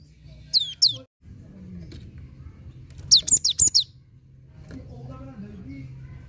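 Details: Cinereous tit song played to coax a bird that has stopped singing: a pair of high down-slurred whistles, then a rapid run of about five sharp, piercing notes over a steady low hum.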